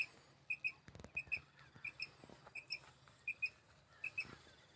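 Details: Common quail giving its 'kirk' call as short, high double notes, a quick pair roughly every 0.7 seconds, over faint low rumbling and a few soft knocks.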